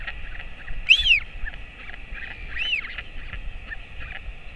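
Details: A royal albatross father feeds his chick, hatched January 2024, on 28 August 2024. Two arched, whistled calls, the first loud and the second softer, over steady hiss.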